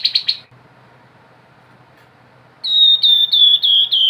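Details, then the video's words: Grey-headed babbler singing, with a brief buzzy rattle at the start. After a long pause comes a series of clear, high nyiul whistles, each slurring downward, delivered in quick succession. "TEPUS KEPALA ABU GACOR|SUARA NGEBREN NYIUL"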